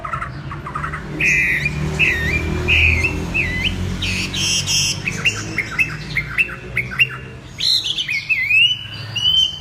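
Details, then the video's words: Chinese hwamei song: varied loud whistled phrases, rising and falling slurs and sharp upswept notes in a rich, changing sequence, with some harsher squawky notes mixed in. "Tiếng chim hót đặc biệt với tiếng hót líu lo"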